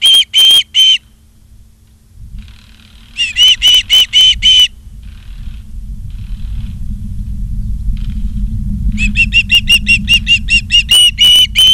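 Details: Osprey at Charlo, Montana, on a live nature cam, 28 August 2023: three bursts of rapid piercing whistles separated by quieter stretches with faint notes and a rising low rumble.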